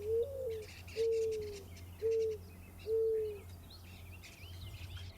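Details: Mourning Dove, a year-round backyard bird, giving four soft, low, hollow, mournful coos about a second apart, each slightly falling, over a faint low hum.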